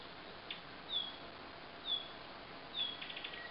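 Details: A parent Asian brown flycatcher giving alarm calls near its hidden fledgling: three thin, high, down-slurred whistles about a second apart, with faint soft ticking between them over a quiet hiss.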